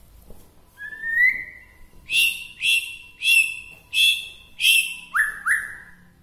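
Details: Song of a white-rumped shama from Bahorok, Medan, said to excite other shamas: a rising whistle leads into five or six loud, sharp chirping bursts about once a second, ending with two quick rising whistles.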